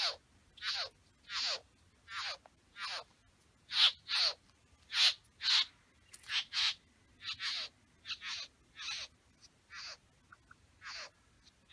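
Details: Male Satin Bowerbird in his bower with females, giving a long series of harsh, hissing, downward-sweeping rasps, about seventeen bursts spaced roughly every half second to second, some louder and sharper than others.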